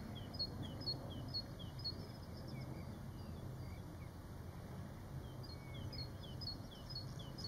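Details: Flock of White-faced whistling ducks on a farm in 2019 calling in bursts of high, down-slurred whistles, about two per second, pausing midway then resuming, over continuous low rumbling noise.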